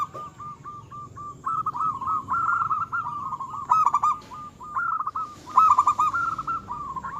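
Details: Local zebra dove singing energetically to provoke rival doves and raise their arousal: a long run of soft coos building into louder rolling, stammered phrases, two peaks of intensity near the middle and end.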